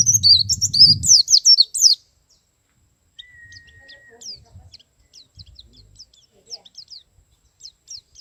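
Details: Wild male white-eye singing in the ngalas and nembak style: a loud burst of quick, high, sharply sweeping chirps for two seconds, then a thin steady whistle and scattered faint high notes after a short pause.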